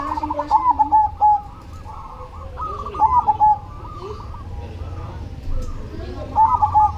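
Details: Zebra dove (perkutut cemani) cooing persistently: short rolling phrases of quick stuttering notes ending in a level coo, repeated three times, over a dense chorus of other doves cooing in the background.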